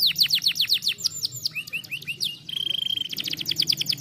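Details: Canary stimulating song for training, with rapid high downward sweeps, slower rising slurs, then a flat whistled trill and a fast rattle of repeated high notes over faint low hum.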